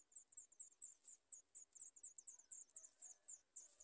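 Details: Hungry sooty chat chicks at the nest beg with thin, very high, scratchy chips, about four or five a second in a steady insistent stream, over a quiet background.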